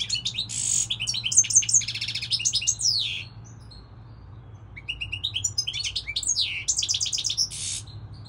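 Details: Goldfinch song of the season, a fast jumble of sharp chirps, rising slurred notes and dry buzzy rattles, a short pause midway, with faint low background hum.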